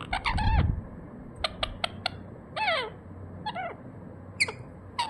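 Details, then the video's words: Pet ringneck parrot making its natural sounds: harsh harmonic squawks with downward slurs, mixed with clicks and short chatters, some low thumping at the start. "RINGNECK PARROT NATURAL SOUND"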